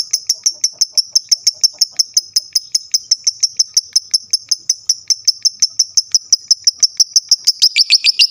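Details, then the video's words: Lovebird in full chatty song, played as a prompt so other lovebirds will reply. A long, fast run of shrill, clipped chirps, about three a second, high and even, ending in a few quicker rising notes. "lovebird mu di jamin langsung nyaut rame bunyi gacor"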